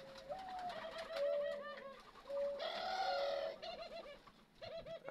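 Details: A male Eurasian collared dove gives soft, low, rolling courtship coos, several in quick succession with brief pauses, indoors near caged females that are preparing to nest.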